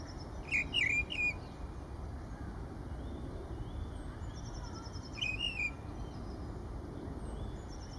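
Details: A Mistle Thrush sings at Kensington Gardens on 7 April 2017, giving short fluting, warbled phrases, one near the start and another about four seconds later, against a low rumble of background noise.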